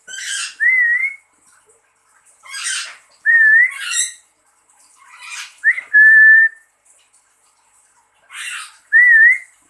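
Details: Owner whistles and a pet lory answers each time with a loud, hoarse, buzzy squawk; four whistle-and-answer rounds spaced a few seconds apart.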